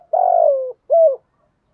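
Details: Spotted dove cooing, used alongside male and female calls to stimulate newly caught captive doves into cooing: a long, vibrating, slightly falling coo followed after a brief pause by a shorter, clipped coo, against a quiet background.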